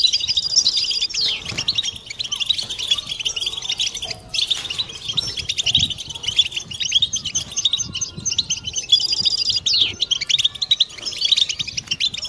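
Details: Several European goldfinches twittering together in a collective 'butbata' chorus, played to stimulate females and prompt mating song. High, dense twittering with liquid trills and short nasal notes runs continuously, with brief buzzy bursts near the start and around nine seconds.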